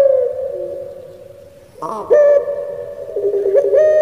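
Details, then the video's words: Barbary dove of the pelung type kept in Java, Indonesia, giving a "crying" song: a held coo fading quietly, then an abrupt loud jump into a strong sustained note with a stepping tail. "𝙋𝙪𝙩𝙚𝙧 𝙋𝙚𝙡𝙪𝙣𝙜 𝙎𝙪𝙖𝙧𝙖 𝙈𝙀𝙉𝘼𝙉𝙂𝙄𝙎"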